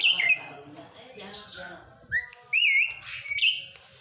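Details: Asian pied starling delivering a mix of whistles: a fading wheezy chatter, then a clear flat whistle and a loud wavering trilled whistle, ending with squeaky notes.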